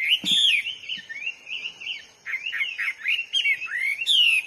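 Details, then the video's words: Hwamei heard in the wild, giving a flowing string of melodious warbled whistles, wavering up and down, broken by a few sharp clicks and a brief pause before more rising and falling phrases. "burung HWAMEY GACOR DI ALAM LIAR"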